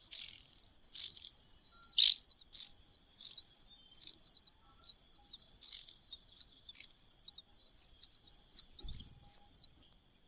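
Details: Cuckoo in a nest repeats loud, high, hissing bursts at about one per second, steady and regular, fading toward the end with a soft knock.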